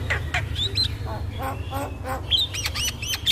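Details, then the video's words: Javan myna song used as a training lure for a myna that will not sing: short harsh chattering notes broken by thin, rising and falling whistles, ending in a burst of looping whistled phrases, with a steady low hum behind. "Pancingan Burung Jalak Malas Bunyi Dengan Suara Jalak Kebo"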